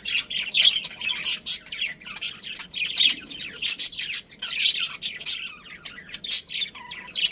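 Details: Pet budgerigar breeding pair and family in a colony, chattering nonstop: overlapping scratchy warbles, squeaky chirps and shrill peeps rising and falling in quick uneven bursts throughout.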